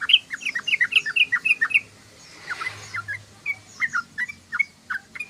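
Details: Yellow-vented bulbul in lively chattering song, a fast opening string of bouncing, liquid chirps, a short gap with soft rustling, then renewed bright notes.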